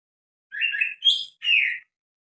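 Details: Greater green leafbird giving strange calls: three separate notes, a wavering chirp, a sharper higher note, then a slightly falling, scratchy chirp, each under half a second.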